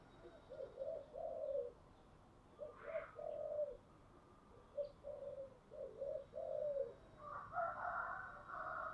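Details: A spotted dove sings in the 'giọng thổ' manner over constant background hiss. It repeats short low coo phrases in a rhythmic series of paired notes, and a longer, rougher coo comes at the close.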